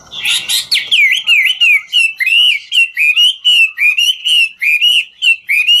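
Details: Chinese hwamei, a 'ngũ trường' singer, singing while dancing: a loud run of rich whistled notes with upslurred and wavering phrases repeated about twice a second, opening with harsh buzzy notes; no other sounds.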